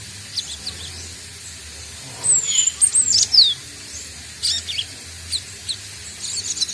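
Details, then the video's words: Young Cinereous Tit (gelatik batu), newly obtained and still learning its sounds, gives a few thin whistled notes sliding downward, scattered short high chips between them, over faint low background hum. "Burung Gelatik Batu|Glatik Watu | belajar bunyi"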